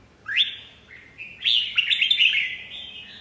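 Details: Red-whiskered bulbul singing: a rising whistled note followed by a burst of bright, warbling phrases that slur downward, clean and loud with a quiet background.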